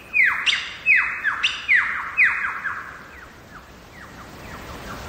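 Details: Lyrebird heard in the wild in the Blue Mountains' Megalong Valley, Australia, gives a loud series of clear downward-sweeping whistles about twice a second, fading into softer, quicker repeated notes.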